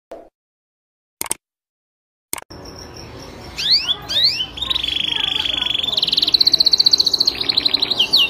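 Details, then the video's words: Canary (kenari) singing in a compilation of long, vigorous training song with full phrases, used to tutor contest canaries; after near silence and a few clicks, swept whistled notes lead into a steady buzzy trill and a fast, rising, pulsed roll. "Kompilasi Masteran Kenari Gacor panjang full isian"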